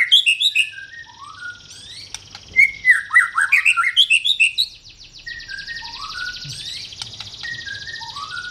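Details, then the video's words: White-rumped shama pouring out fast, varied chirps and whistles, a loud rapid burst of notes early, then softer descending whistled slurs over a buzzy high-pitched background. "Burung Murai Batu"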